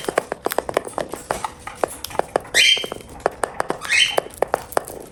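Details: Cockatiel kept as a pet, calling during a meal: two bright, rasping chirps about one and a half seconds apart, set against rapid clicking and pecking sounds of eating.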